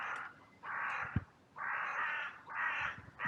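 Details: Crows on a sunny day in a cemetery, calling out after a brief fight between two: long harsh caws, about one per second, from overlapping birds over faint background noise.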